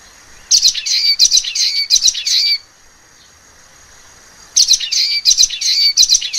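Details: Common waxbill (Estrilda astrild) singing two phrases about two seconds apart, each a quick series of high, buzzy, nasal notes, with a soft steady whine in the background.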